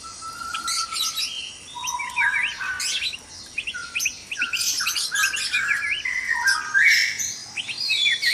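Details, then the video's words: White-rumped shamas calling noisily in a breeding cage at dawn: dense, overlapping chorus of sharp chirps, whistled slurs and buzzy high notes, with loud bursts coming almost without pause throughout. "Suara murai batu berisik dikandang ternak saat subuh"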